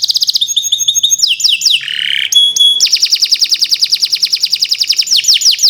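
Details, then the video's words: Kenari Nusantara canary song meant as a model for silent birds: quick chirps and whistles, a short buzz and a pure tone, then a long steady trill of fast repeated notes. "Kicau Burung Kenari 136 II LUAR BIASA GACOR PANJANG Cocok untuk Masteran"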